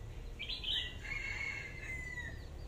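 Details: Red-whiskered bulbul decoy bird of AK voice style delivers one warbled phrase that starts with a bright burst and trails into a long, thin, level whistle.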